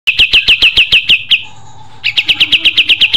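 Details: Pied triller singing energetically: a rapid series of sharp, downslurred chirps repeated about four times a second, a brief pause with a faint steady tone, then the same quick chirp series resuming; low background hum.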